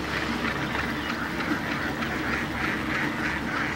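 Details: Hundreds of Indian ducks feeding in water give a dense chorus of nasal quacks, overlapping and repeating several times a second, over a steady low hum.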